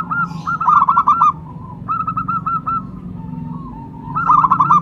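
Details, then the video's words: Cooing of a local zebra dove used for luring and prompting song. Loud rapid trilled phrases open and close the passage, and quieter repeated notes fall between them over a low hum. "Perkutut lokal gacor jawara pikat dan pancingan nada suara panggilan"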